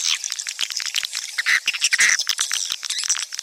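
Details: Swiftlet twittering: bursts of high chirps and harsher squawky notes that rise and fall unevenly, with a few louder chirps near the middle.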